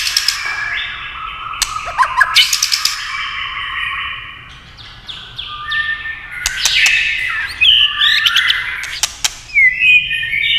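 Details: White-rumped shama song stimulated by tail-tapping clatter: rich whistled phrases at mid-high pitch interspersed with sharp clacking taps, several loud bursts and a rising sweep near the end.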